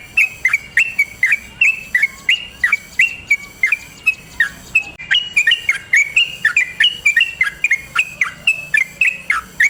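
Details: Yellow-vented bulbul in energetic long rolling song, used as a training and lure recording to prompt other bulbuls to sing: rapid series of bright, short whistled notes, each sliding sharply downward, repeated several times a second with a brief pause midway.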